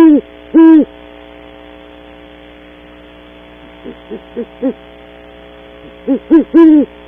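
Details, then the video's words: At dawn, two great horned owls visit a cavity at Starr Ranch, California, heard on a camera feed: two strong deep hoots, a long quiet gap, four faint short hoots, then a final loud cluster. "Pair of Great Horned Owls visit cavity early morning"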